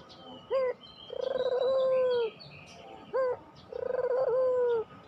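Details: Puter pelung dove, played as training audio to prompt quiet caged doves to coo and sing steadily: two phrases, each a short rising note followed by a long, smooth, steady coo of about a second, with faint chirps behind.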